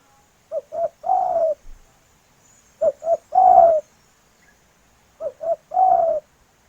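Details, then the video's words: Local spotted dove, a female calling to the male; three even phrases, each two quick coos then a long sliding coo that drops in pitch, about every two and a half seconds. "Derkuku Betina Memanggil Jantan"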